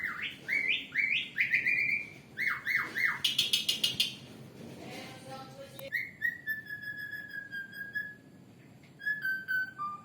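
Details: Asian pied starling, a kept bird valued for its varied voice and ability to mimic people and other birds, delivering a lively run of rising whistled phrases, repeated buzzy notes, then long drawn whistles with a brief click.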